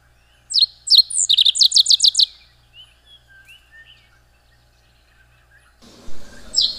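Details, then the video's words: Rusty sparrow (Aimophila rufescens) singing: a fast run of high, sharp down-slurred notes, about a dozen, closely spaced and quickening for under two seconds, then quiet, ending with a burst of rustling noise. "O canto do Tico Tico avermelhado ( Aimophila rufescens )"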